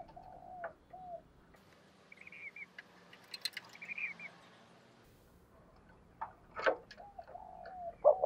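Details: Spotted dove used as a decoy to provoke wild doves into cooing back. Low, hoarse coos open and close the recording. Higher chirps from another bird and a few clicks fill the quieter middle.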